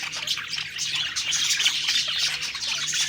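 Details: Budgerigars happily chattering as they eat: fast, densely packed high chirps and bright warbling notes blending into a bubbling, continuous chorus.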